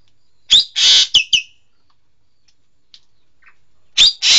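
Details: Green magpie, known locally as engkek keling: a cluster of harsh buzzy notes mixed with sharp chirps, a silent gap of over two seconds, then another pair of rasping buzzes.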